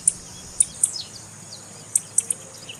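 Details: Captive blue-black grassquit female call, used to excite and stimulate a male that is not singing, before tournaments. Sharp, very high single chirps, irregularly spaced, with a few short descending slurred notes and a faint low hum.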